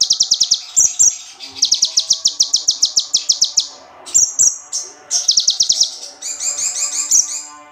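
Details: Bar-winged prinia song offered as training material for songbirds: rapid bursts of bright, buzzy high chips repeated in fast even runs, broken by short whistled notes, ending in a denser chattering phrase.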